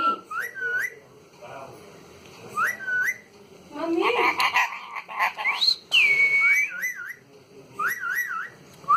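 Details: Talking parrot indoors giving a run of clear, looping whistles in short repeated phrases, with a brief rough, speech-like burst midway and a long rising then steady whistle near the end.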